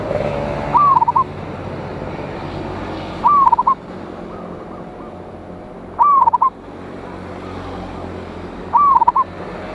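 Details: Local zebra dove in full song with a big voice, used as a lure to call rivals, dated 26 January 2025: four cooing phrases, each a rising note followed by a stuttering run of short coos, repeating about every two and a half seconds over a low hum.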